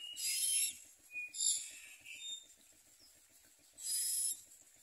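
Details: Common myna babies in their nest, opening their mouths to be fed, produce scratchy, hissing begging rasps in three main bursts over about four seconds, with faint squeaky notes in between.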